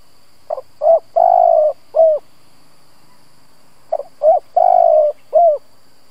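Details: Spotted dove used as a lure bird for provoking rival doves, cooing two full phrases about three seconds apart, each a pair of short hoots, a sustained mellow coo and a short downward-curving ending.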